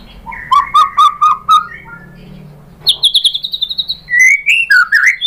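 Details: White-rumped shama singing to provoke other birds into answering: a run of repeated rising whistles, then a fast high trill of about a dozen sharp notes, ending in looping whistled phrases.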